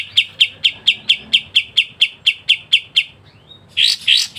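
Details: Steady series of about thirteen sharp high chips at an even pace from a kapas tembak, or pied triller, then a soft rising whistle and two harsh scratchy bursts, typical of its vigorous ngebren singing.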